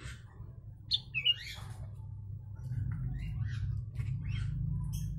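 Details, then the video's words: Sooty-headed bulbul whose song includes mimicked Javan myna phrases, used as a training recording for songbirds; two bright whistled notes near one second, followed by softer scattered chirps over a steady low hum. "Kutilang isian Jalak kebo"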